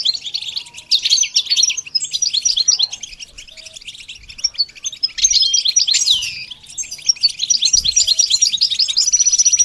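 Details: Goldfinch song used for training a bird to sing: a bright, rapid twitter of tinkling, high notes with buzzy trills and short pauses, bursts swelling and fading over ten seconds, one long thin whistle near the end.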